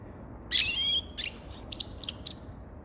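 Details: A brief phrase from a Grey-crowned goldfinch: a buzzy opening note, a rising whistle, then several quick high chirps.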